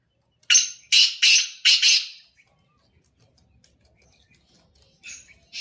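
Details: Black francolin giving its rasping call, a burst of four loud scratchy notes within two seconds, then near silence before a softer note and another harsh note start at the end.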